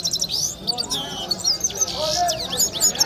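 A red-fronted serin sings a fast, high, tinkling twitter of thin rising and falling notes, steady throughout, with faint voices underneath.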